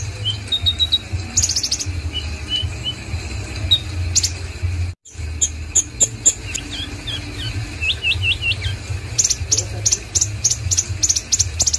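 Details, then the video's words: Konin song of quick high chirps and slurred whistles, some in rapid runs of three or four notes, broken by a brief silence, against a constant low hum. "BURUNG KONIN OKEPUNYA NIH GACORNYA"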